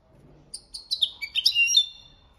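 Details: European goldfinch, copia Malaga training song: a short burst of high chirps that quicken into a twittering run, finishing with a drawn-out thin whistled note.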